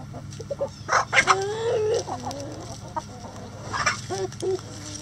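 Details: Rooster at a chicken coop giving a loud, sustained crow that rises and holds, with a second shorter phrase after it, preceded by sharp clucks from nearby hens and a low background hum.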